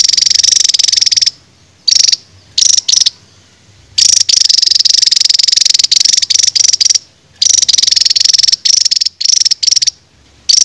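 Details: Old-style songbird, king of rapid-fire bursts, on a 2023 masteran training recording for cage birds: long stretches of high, dense buzzy rattling trills cut by brief silent gaps.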